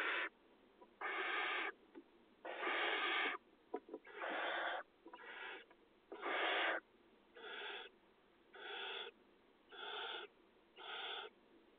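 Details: Barn owl chicks being fed in a nest box in agricultural fields during the 2020 nesting season, giving harsh, breathy hissing screeches about once a second, each under a second long.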